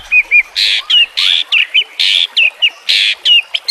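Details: Training song of the white-rumped shama (murai batu): harsh buzzy bursts alternating with short clear whistles and hooked notes, about five buzzes in under four seconds, delivered loudly and steadily over a quiet background.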